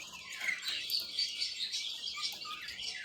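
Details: Playing, happy budgerigars warbling steadily, a high rippling chatter with arched whistled notes about every half second.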